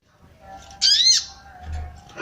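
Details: Female sooty-headed bulbul calling to arouse males: a single short harsh, buzzy note arching up then down, with a faint low hum underneath.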